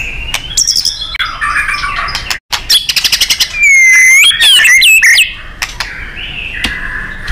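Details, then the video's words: Oriental magpie-robin training song for contest birds: high, varied whistled phrases, a buzzy trill and rapid clicking series, then loud rising and falling whistles mid-clip before softer notes; one abrupt cut near two and a half seconds. "Murai GACOR & NEMBAK ...FULL POWER & FIGHTER ‼️ Ampuh untuk MASTERAN BURUNG KONTES"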